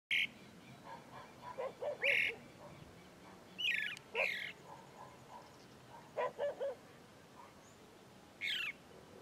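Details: Chalk-browed mockingbird singing in the sertão of Bahia, Brazil: spaced bursts of varied notes, some high buzzy chips, others lower clipped whistles in quick runs, with pauses of about a second between phrases.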